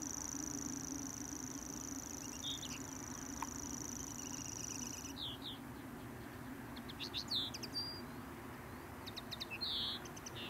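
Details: Common grasshopper warbler at pools near Sunderland, its thin, high, steady reel running for about five seconds then stopping, followed by sharp chirps and twittering from other birds over a low background hum.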